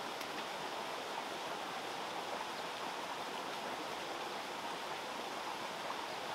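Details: Rushing stream water fills the air as a steady, hissing broadband flow, with no animal voices.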